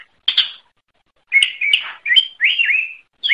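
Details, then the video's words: Greater green leafbird, sung as a training recording for songbirds: a chattering note, then slurred whistles and a wavering drawn-out phrase after a short gap. "Suara Burung Cucak Ijo | Gacor"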